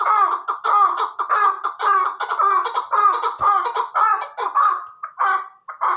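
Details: Chukar partridge giving rapid, overlapping chuck notes in a dense run that loosens toward the end, with a short low thump midway.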